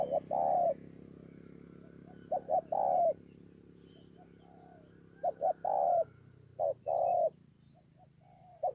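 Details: Spotted dove from Bờ Y, Kon Tum, Vietnam, recorded 28 November 2017, repeating its song several times: paired short hoots leading into a sustained mellow coo, with irregular pauses and a faint hum.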